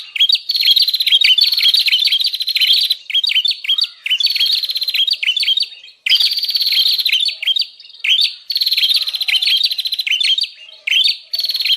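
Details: Bar-winged prinia lure call for luring wild birds and tutoring captive ones: long runs of rapid buzzy rattling notes punctuated by quick chirped dips, repeated in bursts of about two seconds with brief gaps.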